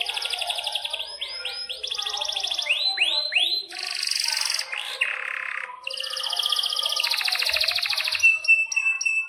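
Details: Energetic canary song with long rolls and sharp chirps: fast trills, sweeping upward whistle notes and dense buzzy rolls follow one another, meant as a training song for young canaries and silent birds.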